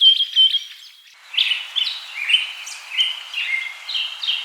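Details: Singing bird with a brief high warbled phrase, a short pause, then a run of clear whistled slurs stepping up and down in pitch.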